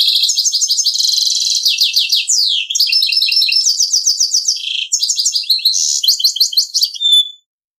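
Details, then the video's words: Mule bird, a goldfinch crossed with a canary, delivering Servati Prince royal song: continuous high rolling trills, rapid repeated phrases and twittering passages for about seven seconds, ending abruptly, with no background noise. "Chant Mulet Servati Prince royal"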